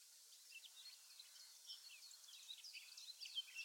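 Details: Eurasian blackcap song, quieter and more distant: a steady stream of thin warbled and chattering notes running throughout against a soft hiss.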